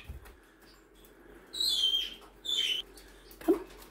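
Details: Male pet Java sparrow at bedtime, the last to go to bed while being coaxed in: two high, thin chirps sliding downward, about a second apart, then a soft click, over quiet room hiss.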